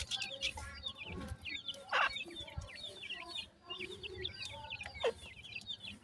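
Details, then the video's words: Grey francolin mother with five chicks at feeding time; chicks keep up quick, high, descending chirps in a crowded chorus, with occasional loud clicks and low knocking. "Dakhni Teetar chicks khorak time,Female with 5 chick"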